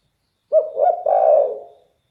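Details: A spotted dove, or derkuku, with a bass, very loud call. It makes one rolling phrase: a sharp opening coo, then a longer, deep, burry note that trails off.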